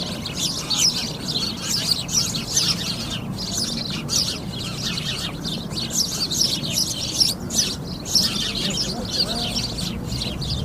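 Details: Flock of sparrows calling together, a steady chatter of short high chirps overlapping throughout, over a low background hum.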